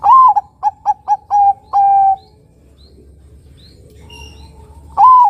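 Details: Zebra dove (Bangkok perkutut) lure song for attracting other doves: rising first coo, four short stuttered notes and a long level coo, then a pause with faint distant coos before the phrase restarts.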